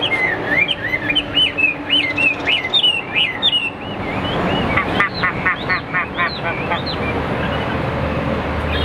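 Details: Caged Hwamei singing in a competition display, spreading its tail: varied whistled slurs, then a burst of rapid repeated down-slurred notes midway, over a low background rumble.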